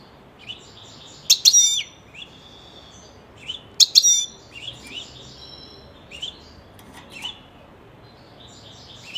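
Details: Pet European goldfinch singing at moderate volume, loose twittering phrases of high chirps and buzzy trills repeated every few seconds.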